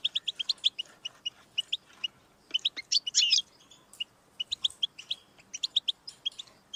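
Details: Song of a European goldfinch used to stimulate another goldfinch: rapid rhythmic chirps, then a harsh buzzy rattle, followed by more tinkling twittered phrases.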